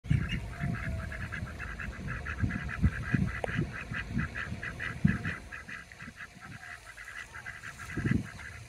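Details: Pekin ducks exiting a lake in Oviedo, Florida, quack in a rapid, steady run of short, nasal calls, several per second, as Muscovy ducks walk to greet them, over low rumbling and scuffling noise.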